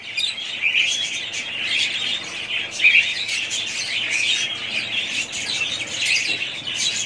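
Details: A family of budgerigars keeps up a lively, buzzy warble, with rapid overlapping chirps and harsh squawks forming a continuous high-pitched chorus with small rises in loudness.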